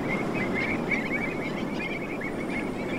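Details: Black-tailed godwits in flight in spring, 23 March 2024, at Séné nature reserve, Morbihan, France, give quick nasal chattering notes several times a second over a steady rush of wind and low rumble.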